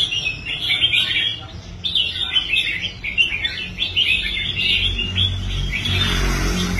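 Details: Caged red-whiskered bulbul, once unwilling to compete and later rehabilitated, performing on the competition stand: dense, rapid warbled phrases, chattering and bubbly, repeated almost without pause, with a low background rumble that grows toward the end.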